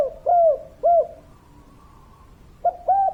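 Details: Local spotted dove in kuk 3 style giving two rounded coos, a pause of over a second, then two more mellow coos close together.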